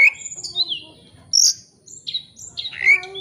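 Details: Oriental magpie-robin rival-seeking song, a lure to draw out full repertoire: separate clear whistled notes, some sliding downward, with a sharp high buzzy note in the middle and short gaps between phrases.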